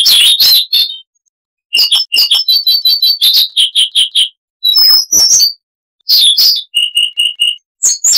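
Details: Bright, many-sounding song of the Siberian rubythroat, recorded clean with little noise. Bursts of chirps alternate with rapid repeated note series and sustained, evenly spaced high tones, separated by short pauses.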